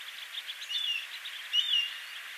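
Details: Altai accentor near Tungnath Temple, Uttarakhand, India, at about 3500 metres altitude; two thin, high, slightly falling whistled notes about a second apart over a steady hiss of background noise.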